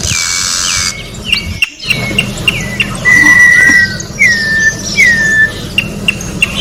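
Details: In nature, an orange-backed troupial sings a string of short whistled notes that drop sharply, then a long steady whistle and several more falling whistles, after an opening buzzy burst; faint low hum behind.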